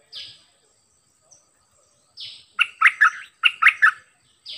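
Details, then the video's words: A decoy bulbul gives soft, breathy notes, then two tight groups of loud, rich warbled notes about a second apart. The setting is otherwise quiet. "เปิดดอกเพลงเบิ้ล!!ร้องหลายเพลงSuara merbah lekir gacorbahanan"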